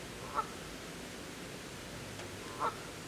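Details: Canada geese, adults with goslings struggling to follow; two faint, brief honks separated by about two seconds over continuous low hiss.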